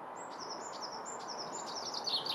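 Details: Chaffinch song recorded in Kurkimäki, Helsinki, Finland, 7 May 2021: a rapid run of high, sharp repeated notes stepping downward, closing in a brief flourish, over a steady background hum.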